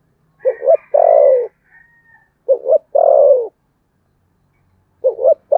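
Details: Spotted dove in contest cooing, Sấm Thổ style, repeating a two-note pickup and long descending coo roughly every two seconds, while a thin, higher whistle sounds faintly over the first phrase.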